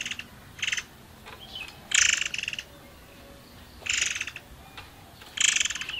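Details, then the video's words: Forktail recording played to prompt other birds into song: repeated harsh, buzzy, grating bursts, each under a second long and separated by pauses, with a short faint whistle between them. "PANCINGAN MURAI AIR MANCUR BAHAN"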